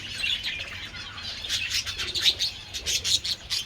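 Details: Several pet budgerigars out in the sun enjoying treats, late February: busy high chirps and warbling chatter in quick bursts, mixed with soft wing flutters.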